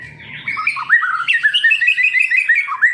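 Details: Kept Medan white-rumped shama, described as not imitating, pours out a lively string of quick whistled slurs that rise and fall in pitch.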